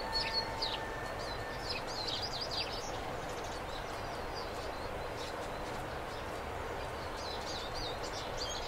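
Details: Male and female European greenfinch pair calling: bursts of quick, high twittering notes, strongest early and near the end, with a brief steady tone at the start and a constant rushing background noise.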